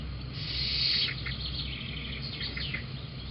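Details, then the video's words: Little owl at Holten, 13 June 2020, 18:07, taking a snack on the beam and giving a 'miskuuk'. Hoarse, wheezy hissing with a few short, scratchy downward notes near the end, over a steady low hum. "hapje op de balk en een 'miskuuk'"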